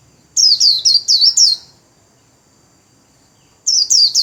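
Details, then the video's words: White-eye in a cage, wings spread, pouring out 'líu' warbling: five loud, high, quickly repeated descending chirps, a two-second gap, then three more. "KHUYÊN LÍU XÒE CÁNH CỰC KỲ ĐẸP - CÁCH GIÚP KHUYÊN MAU LÍU"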